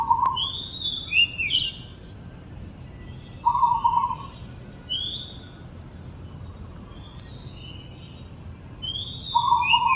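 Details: Oriental magpie-robin singing: clear high whistled phrases that slide up and down, alongside short buzzy mid-pitched notes repeated every few seconds, over a steady low background hum.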